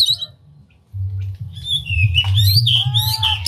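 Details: Oriental magpie-robin spreading its tail, singing an unusual song meant to stir other magpie-robins into singing. After a near-silent start come rich, rising and falling whistles and quick twittered notes, set against a constant low rumble.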